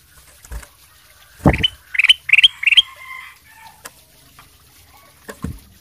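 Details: Caged ruby-throated bulbul singing in lively form, used as a lure to prompt other birds to answer: a quick run of four bright, rising whistled notes, preceded by a thump and followed by softer chatter.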